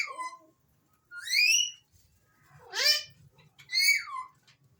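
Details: Alexandrine parakeet whistling: a falling note, then a rising sweep, a steep V-shaped call and a final arching whistle, each rich in harmonics and about half a second long, with a soft low background hum.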